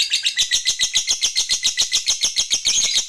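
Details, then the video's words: Lovebird, a fighter-type bird, giving long continuous chattering (ngekek panjang) used to provoke rivals: rapid harsh high-pitched chatter notes repeated about three to four times per second, steady and unbroken throughout, indoors. "Suara Lovebird ini Paling Bagus Buat Pancingan Lawan EMOSI Ngekek Panjang"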